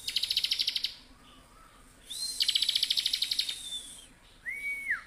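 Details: Bar-winged prinia singing vigorously, used as a tutor recording for other songbirds: a fast, high pulsed trill, a pause, then a longer buzzy trill over a thin steady whistle, ending with a short arched whistle.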